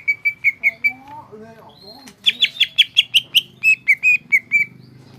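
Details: Greater green leafbird (cucak ijo) in gropyokan gacor style: repeated short whistles, a fast run of buzzy high notes, then more level whistles, with a lower sliding warble in the middle.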